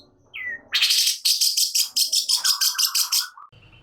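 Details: Long-tailed shrike, agitated and singing in the fiery gacor nembak style: a rapid series of harsh, buzzy rasping bursts, about four per second, ending on a short level tone, with a brief falling whistle at the start.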